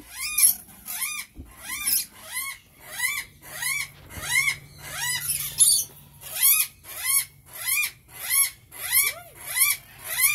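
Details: A regular train of high squeaky calls from rainbow lorikeets, each note swooping up and down, about one and a half per second, with faint background hum.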